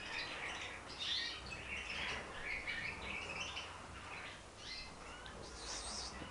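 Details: Young Timbrado canaries at the start of song training give scattered, tentative first chirps and short warbled phrases, high and irregular, several overlapping over steady hiss, prompted by soft breathy whistling; finding: Belgian canary.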